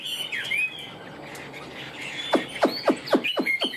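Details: Hwamei kept in a cage, noted for its fanned tail and fine voice. Scattered whistled slurs give way to a quick series of five or six sharp downward-sweeping notes.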